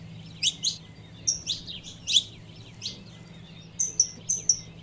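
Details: Saffron finch hen calling to stimulate the male: a few sharp chirps early, then a run of short, level whistled notes near the end, over soft background hum.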